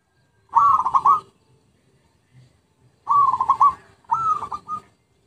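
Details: Zebra dove lure song, three pulsed cooing phrases, a long pause after the first, the last two close together, each a quick stuttered trill with a rising start.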